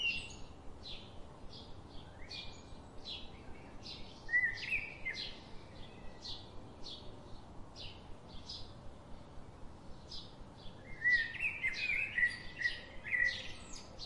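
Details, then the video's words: Bulbul babies in their nest at feeding time: thin short chirps tick along at an even pace, broken by two louder bursts of twittering, warbled notes, one early and one near the close, over constant background hiss. "Bulbul baby birds in nest."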